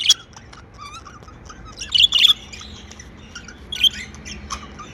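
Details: Happy budgerigars kept as pets give chirps: a sharp opening tweet, scattered soft twitters, then a louder cluster of rapid squeaky chirps midway and another burst near the end.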